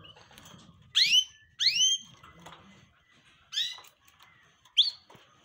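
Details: Canaries from a collection of colourful birds, described as excited: four loud, separate upward-sweeping whistled chirps spread over about five seconds, each sliding sharply upward, with quiet rustling and faint chatter between them.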